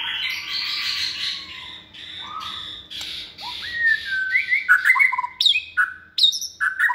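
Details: Caged white-rumped shama of its second season, hand-raised and bold, starts with a hissing, rasping wash before shifting into crisp whistles, slurred notes and abrupt high-pitched chips.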